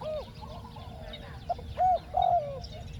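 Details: Cooing of a spotted dove set out to lure wild doves, in the 'khu ang' two-word style: a brief note, a pause, then two loud level hooting coos in quick succession, with quiet chirping from other birds.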